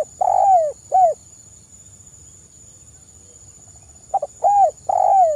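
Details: Spotted dove song used to lure other doves: short coos with a brief rise then a longer falling coo, repeated in two bursts separated by about three seconds of quiet, a steady high hum throughout.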